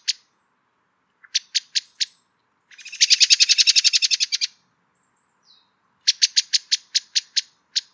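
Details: A common blackbird (Turdus merula) calls with sharp, repeated chinking notes and a fast, rattling chatter.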